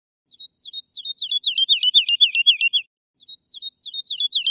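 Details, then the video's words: Woodlark song: two phrases of clear, slurred whistled notes repeated in quick series, speeding up and dropping slightly in pitch through the first run before a brief pause and a second accelerating run, with a silent background. "تغريد طائر الولوال Woodlark Alouette lulu"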